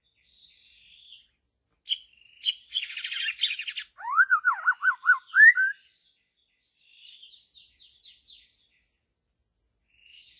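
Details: White-rumped shama, a wild forest bird, delivers sharp high notes, a buzzy trill, then five quick descending whistled notes and a rising slur, followed by softer high twittering.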